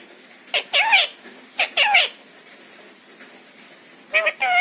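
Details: Pet parrot mimicking human phrases in Hindi: two short, squeaky, voice-like phrases with bending pitch about a second apart, a long quiet pause, then a brighter tonal phrase with clear harmonics at the end.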